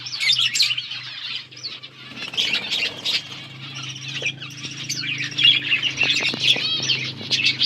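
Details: A group of budgerigars eating, keeping up steady twittering chatter of quick chirps and warbled notes over a constant low mechanical hum.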